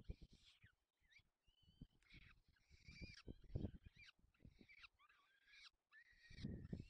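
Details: Peregrine falcon feeding its young in the Barycz Valley, Poland, on 4 May 2020: harsh, stacked, downslurred squealing calls in short bursts, with low thumping and rustling noise beneath.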